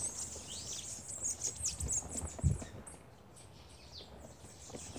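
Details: Bananaquits busy at a feeder: a quick flurry of high, sharp, descending chips during the first two seconds, then sparser faint squeaks, with soft knocks and thuds from the feeder.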